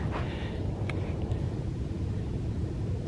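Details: Low steady rumble of distant traffic or aircraft, with a few faint clicks and no animal calls.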